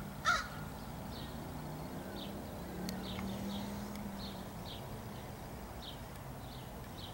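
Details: A crow in a tree, recorded 27 July 2015, gives one loud, harsh caw at the start. Quiet follows, with faint high chirping of small birds and a low steady hum.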